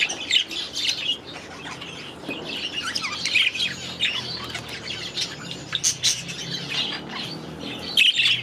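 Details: Young budgerigars exploring their new aviary in their first days; scattered high chirps and warbles over a low murmur of background chatter.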